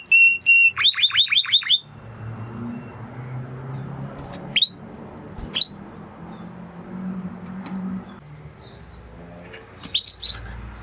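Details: Spanish Timbrado canary, an original breed close to the wild canary, singing a brief burst of rapid high metallic trilled notes, then near silence broken by a few isolated sharp chirps over a low background hum.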